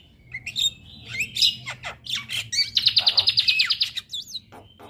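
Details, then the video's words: Male Javan myna kept as a tutor for other mynas pours out rapid clicks and squeaks, then a fast metallic trill of about a dozen notes, ending on a whistled rising note. "Burung Jalak Kebo Jantan Super Gacor Gurunya MAsteran Jalak"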